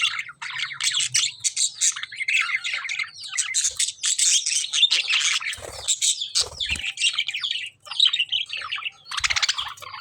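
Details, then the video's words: Lovebirds chirping nonstop, shrill overlapping twitters and harsh chatter from many birds, with a few thuds or knocks in the background. "lovebird chirping sound"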